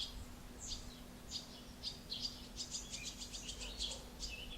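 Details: Barn swallows, a pair feeding one of their chicks in late June 2016 at Alzira, Valencia, Spain: thin high chirps and twitters, quickening into a rapid burst of short notes, over a faint steady low hum.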